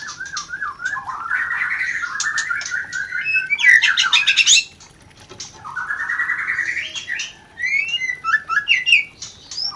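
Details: White-rumped shama rencetan call, used to stimulate mating and arouse breeding desire: fast chattering strings of rising notes, a loud burst of buzzy notes near the middle, a brief pause, then another chattering run ending in scattered sharp chips.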